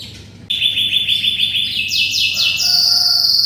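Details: Canary song for tutoring magpie-robins: after a brief quiet start, a sudden loud rolled trill of rapid notes, then higher stepped trills and a bright high sustained roll, with soft lower notes alongside.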